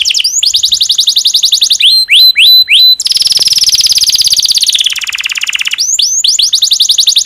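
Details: Domestic canary in breeding condition singing to stimulate other canaries: rapid trills of repeated rising-falling notes, short whistled upslurs, then a long dense buzzy trill sliding down, ending in renewed fast trilled phrases.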